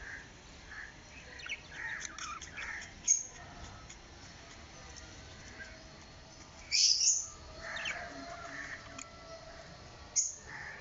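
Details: Pet white albino budgerigars in a small family group chattering with soft warbling chirps, broken by several loud sharp squeaks that stand out above a constant hiss.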